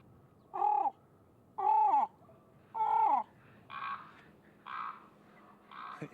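A common raven gives harsh, croaking calls, repeated about once a second with short pauses between.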